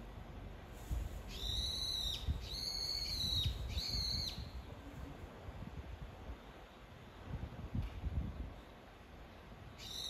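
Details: Brown-eared bulbul calling its mate with three loud, squealing notes in a row, each strongly harmonic and falling slightly at the end, then silence before another call begins.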